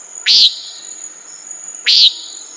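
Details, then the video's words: Common Nighthawk giving two harsh, nasal buzzy notes about a second and a half apart, over a steady high insect drone. "Common Nighthawk Sound"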